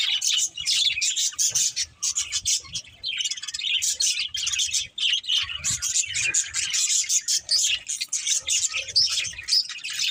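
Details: Continuous budgie chatter with rapid overlapping chirps, squeaks and warbles, the high twittering barely pausing for the whole stretch.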